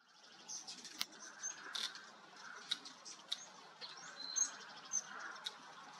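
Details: Rivoli's hummingbird filmed in Arizona gives thin, sharp high chips, scattered irregularly about twice a second, over a soft steady hiss of background noise.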